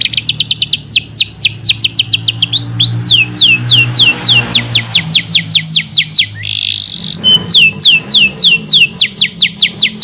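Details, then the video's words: Caged canary singing a long stimulating song: fast trills of repeated descending sweeps, a brief buzzy note near the middle, then rapid trills again, with a low hum underneath. "PANCINGAN KENARI GACOR PANJANG | CANARY SINGING"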